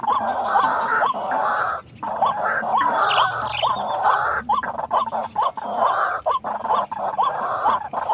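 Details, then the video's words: White-breasted waterhen calling, played to trap birds around a housing area: quick upturned notes in an uneven series, mixed with dense background hiss and clicks. "Racik burung ruak ruak galak"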